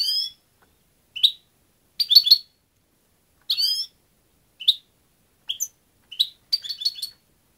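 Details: European goldfinch uttering short, bright twittering bursts at irregular intervals, mixing single sharp chirps with rapid clusters of two to four liquid notes, against a silent background.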